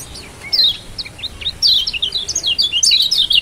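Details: Lombok yellow white-eye, kept as a songbird, sings to stir a quiet bird into song: a faint low whistle, then a quickening run of high, thin twittering notes that jump up and down and grow louder toward the end.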